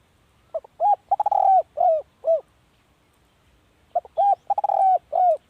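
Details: Spotted dove kept as a decoy bird, giving two coo phrases: short soft notes, a stuttering run into a long drawn coo, then two arched, falling coos, with a quiet pause between phrases.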